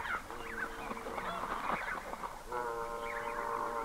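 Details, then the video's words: Red-breasted goose, a single bird recorded at medium close-up range, gives harsh, nasal, honking calls with strong harmonics, one burst early and another sustained near the end, with water splashes between. "Red-Breasted Goose. MCU Calls From A Single Bird."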